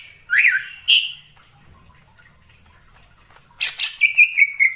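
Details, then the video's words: Forest-dwelling wild greater green leafbird: two loud rich whistled notes, a pause, then a harsh burst followed by quick repeated sweet whistles. "suara cucak ijo di alam liar_ijo hutan"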